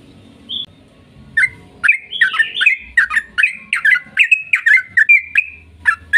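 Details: Sooty-headed bulbul in full, lively song meant to provoke other bulbuls into answering: after a brief quiet start, a steady run of short, bubbly, whistled notes, some rising and some falling, continuing for over four seconds.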